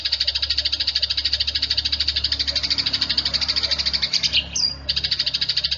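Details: Squabbling Eurasian tree sparrows recorded to train songbirds: continuous rapid, harsh chirps with one brief break and a higher note before the chatter resumes.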